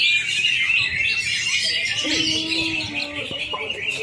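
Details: Greater green leafbird song in a simulated singing contest: fast, continuous high warbling and twittering, with lower whistled notes and short trills from other birds partway through.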